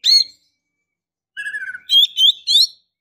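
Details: Breeding-condition female white-rumped shama calling to attract a male: a single sharp chirp, a pause, then a low rattling trill followed by three loud whistled notes.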